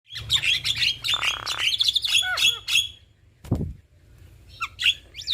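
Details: Male and female black-winged starlings singing a duet: dense run of high whistles and harsh, buzzy notes, a raspy burst near one second, downward slurs, then a pause and a few sharp calls, over a steady low hum.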